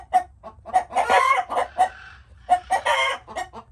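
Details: Irregular chicken clucking, roughly every second or so, punctuated by two drawn-out hoarse squawks. A faint low hum runs underneath.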